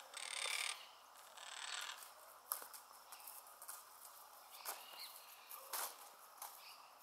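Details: Monk parakeet at a community stick nest in Pouso Alegre, Pantanal, Brazil, 7 July 2019, giving two long, harsh, grating squawks, then scattered shorter scratchy chatter notes over a faint background hiss.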